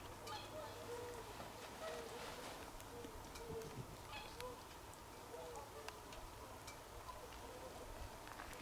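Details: A group of swans on 24 December 2020 calling in a steady series of soft, hooting honks, roughly one or two each second, with a low steady hum underneath.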